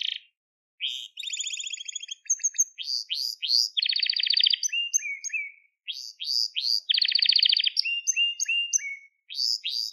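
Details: Crested Gloster canary song meant for training young canaries to sing: continuous varied phrases of fast buzzy trills, rolling repeated notes and short whistles, high and bright, with only brief gaps.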